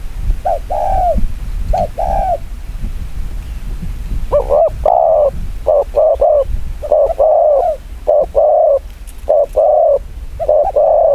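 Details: A spotted dove cooing in the very fast 'chiêu gù kích bổi' style: softer paired coos at first, then loud, rapid bursts of clipped hollow coos in tight clusters, continuing steadily to the end.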